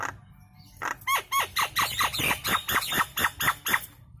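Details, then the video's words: Nias hill myna, a loud lure recording meant to make other birds respond and sing, giving a rapid run of about ten loud, falling, ringing notes at an uneven beat of roughly two per second. "SUARA KERAS PANCINGAN JALAK NIAS LANGSUNG RESPON IKUT GACOR"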